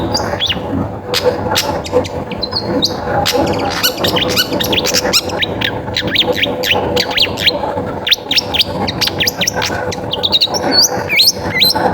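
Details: A busy, chattering song from a long-tailed shrike, used as a lure to set other shrikes singing: rapid twittering notes and short whistles in a dense stream, with a constant low hum.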